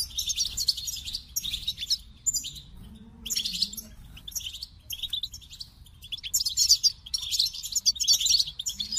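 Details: Over nine seconds a goldfinch sings repeated phrases of high tinkling twitters and buzzy trills, pausing between bursts, against a soft low hum.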